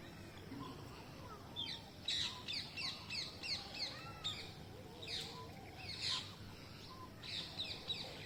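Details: Green parrots on a mango tree: a run of sharp, screechy chirps repeated in quick series, with bursts of several notes then brief pauses, over a noisy outdoor background.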